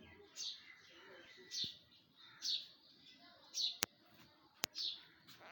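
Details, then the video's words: Birds singing in a tree in the morning. Short, high, slurred chirps repeat roughly once a second over soft background murmur, with two sharp clicks near the end. "bird are singing on tree at morning"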